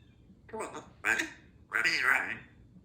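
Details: Female Congo African grey parrot, two years old, kept as a pet in a country home, talking in three short speech-like phrases with voiced harmonic syllables, after a person says "come on, ready, ready" in a small room.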